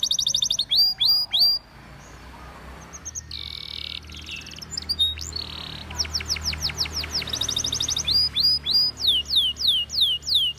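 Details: Belgian canary in training song: bursts of looped whistles, a sustained buzzy rolled tour mid-phrase, then accelerating clicking trills and slurred descending notes repeated steadily toward the end.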